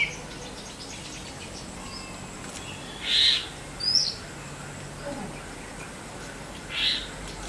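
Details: A male Jerdon's leafbird gives three short, high, whistled notes spaced over several seconds, with a steady background hiss.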